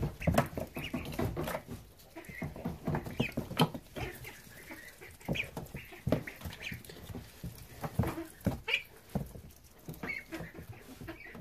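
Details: Ducklings in a brooder on a farm, eating lettuce and peas as a snack; short high peeps come in scattered bursts over steady pecking and pattering of feeding.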